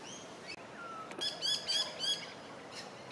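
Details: Crimson rosella feeding in shrubs by Gardiners Creek in Melbourne, Australia, 27 July 2023; a run of rapid, clear, ringing chirps with a tonal, harmonic quality, repeated about four times per second, then a brief pause and another chirp.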